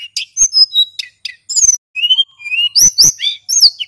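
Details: Lure recording of a male hill blue flycatcher singing continuously. Sweet whistled notes, some rising and some falling, alternate with crisp ticking chips and short buzzy trills in a busy, tumbling phrase.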